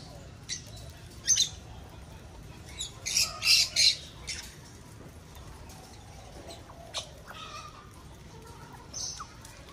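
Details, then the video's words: Lovebirds breeding in an aviary: harsh, high squawks in a quick cluster of loud bursts near the middle, with scattered sharper calls before and after over a steady low hum. "Vẹt sinh sản lovebird"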